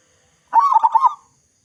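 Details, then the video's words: Short phrase from a local zebra dove with a big voice, used to prompt other zebra doves to sing: a quick, loud cluster of rolling coo notes lasting under a second in a quiet setting. "Perkutut Lokal Gacor Suara Besar Cocok Untuk Pancingan Semua Jenis Burung Perkutut Agar Cepat Bunyi"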